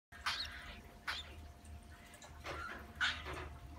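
A cockatiel gives five short, harsh, scratchy chirps at uneven intervals over about four seconds, over a steady low hum.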